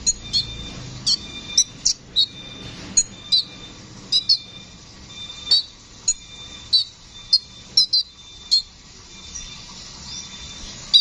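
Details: Kolibri ninja, the brown-throated sunbird, giving lively rolling song as a master recording for songbird training. Sharp, high tweeting notes repeat roughly every half second, sometimes doubled, over a steady thin high tone and faint background hiss.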